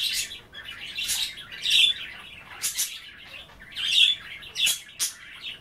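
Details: Pet budgerigars chattering as they nibble kale in water at bath time: soft twittering warbles broken by sharp clicky chirps roughly every second.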